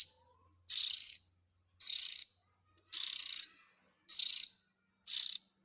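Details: Oriental magpie-robin young calling, used to lure the parent birds: five loud, hissing, scratchy rasps, each about half a second, repeated steadily at roughly one-second intervals over a quiet background.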